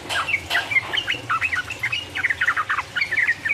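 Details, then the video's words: Rival-provoking 'ropel uplik uplik' song of a Sooty-headed bulbul: a dense flurry of bubbling, whistled notes that jump between pitches, opening with a few rougher sounds before settling into rapid chatter. "mancing lawan jadi emosi, trucuk gacor ropel uplik uplik merangsang lawan"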